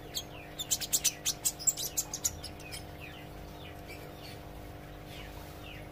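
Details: Olive-backed sunbird in song practice: a quick series of about a dozen high, thin ticking notes over two seconds, then mostly quiet with faint distant chirps and a low steady hum.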